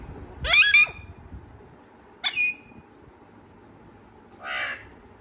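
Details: Following a human laugh, a parrot gives a loud, wavering screech, a shorter harmonic squawk a second and a half later, then a buzzy nasal call.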